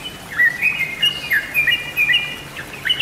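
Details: Short burst from a bird-lure recording of Yellow-vented bulbul: a few liquid, bouncy whistled chirps dipping and rising, spaced by brief gaps, over light background hiss.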